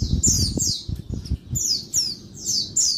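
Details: A female Oriental white-eye calls noisily in daytime to stimulate males: pairs and triplets of shrill downslurred chirps, with low thuds and rustling beneath.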